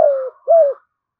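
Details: Spotted dove giving a 'thúc' call used to lure wild doves in to fight: two mellow, low coos, the first longer and falling, the second short and arched, in a quiet setting.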